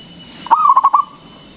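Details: Single phrase from a local zebra dove, played to provoke other doves into singing: a brief rising coo breaking into five quick pulsed notes, then a short trailing tone, in a quiet setting.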